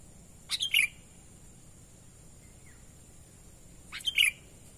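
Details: Lure call of a sooty-headed bulbul in its natural voice: a quick three-note phrase of chip and tumbling whistles, repeated once after roughly three and a half seconds, against a faint steady hiss.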